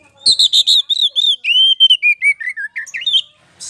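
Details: Kacer poci magpie-robin lure song to provoke another bird. A long run of clear, evenly spaced whistled notes descends step by step, then rises, closing with a brief harsh buzz.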